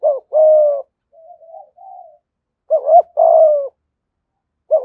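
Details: Spotted dove in the 'thổ' voice style, 'gù thúc' cooing used as a decoy to draw wild doves; strong coos of a short doubled note followed by a long steady note, with quiet low murmurs in between.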